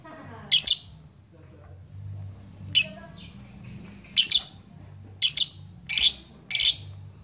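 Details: Lovebird in ngepyak style, calling to challenge rival fighter lovebirds and used to prompt them to sing: six loud, harsh, rasping screeches, single or doubled, spaced about a second apart, with a low background hum.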